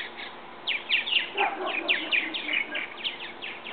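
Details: Young purple martins from a backyard bird house, old enough to leave the nest and testing their wings; rapid, scratchy descending chirps in irregular runs, several birds overlapping, over steady outdoor background noise.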